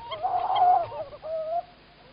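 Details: A female tawny owl in Estonia, 27 March 2018 around 20:21, keeps calling while the male is thought to be bringing prey: a hoarse, wavering mid-pitched call, then a steadier drawn-out note after a short pause.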